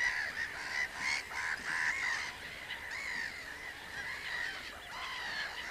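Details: Common cranes in a group give overlapping rolling, trumpeting calls that blur into a continuous chorus, somewhat distant and softer, with a few louder notes early on.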